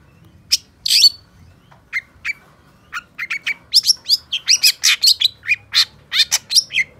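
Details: Long-tailed shrike (cendet pentet) singing: a few isolated sharp notes at first, building into a steady stream of rapid, scratchy, high notes with whistled touches.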